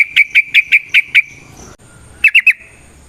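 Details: Sooty-headed bulbul, its song used as a lure to make other bulbuls sing: six crisp, evenly spaced whistled notes, a short pause, then a quick run of three more.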